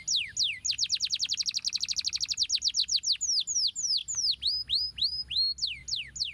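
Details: Canary singing a training song meant to stir lazy canaries: a long, very rapid roll of sharp falling notes that eases into slower, drawn-out swooping whistles with curling high overtones.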